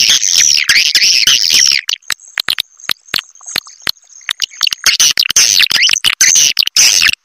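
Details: Swiftlet roosting call, Triple Queen style, with intense high twittering at the start and end and a middle run of dry clicks over a thin steady whine.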